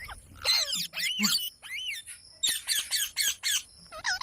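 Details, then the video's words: Parrot calling in a series of loud, harsh squawks and rising-falling screeches in quick bursts, separated by short pauses, with a faint steady high hiss in the background. "Parrot Sound Videos | Parrot Sounds | Parrot Video | Talking Videos Compilation"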